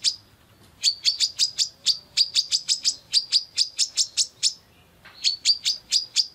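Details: Female Brown-throated sunbird calling a male: a brief opening note, then a long quick series of shrill, clipped chirps. A short silence follows before another burst of the same rapid notes.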